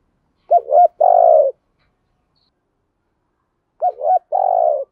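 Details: Cooing of a decoy spotted dove meant to attract wild doves, two identical phrases about three seconds apart, each a dipping double note followed by a sustained burred coo; nothing else audible.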